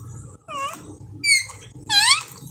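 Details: A pet parrot gives three harsh, nasal squawks, the first dipping in pitch, the last loudest and bending up and down, with short gaps between.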